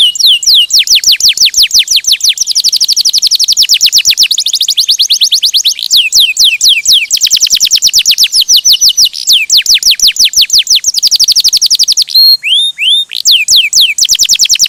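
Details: Canary singing a long rolling song, rapid trills of high sweeping notes repeated several times a second, shifting between tours, with a short break of upslurred whistles near the end.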